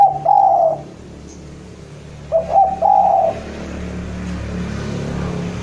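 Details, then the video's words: Javanese spotted dove, a keen caller, calling to a rival: two low mellow coo phrases, each a short hiccuping note and a drawn-out coo, separated by a pause, against constant low background hiss. "Derkuku jawa gacor memanggil lawan"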